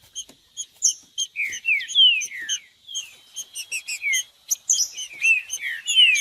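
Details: Captive green-winged saltator stimulation song for breeders' tournament birds: bursts of sliding, falling whistles separated by clusters of bright high chip notes over a faint steady tone.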